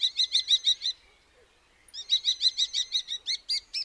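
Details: Common starling calling in two bursts of rapid, evenly spaced harsh chattering notes, about a dozen each, high-pitched with layered overtones, separated by a second of silence.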